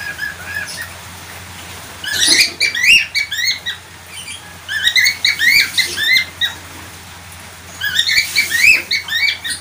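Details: Chattering budgerigar, bright chirps and upward-sweeping squeaks clustered in short runs, three main bursts with quieter gaps and a faint background hum.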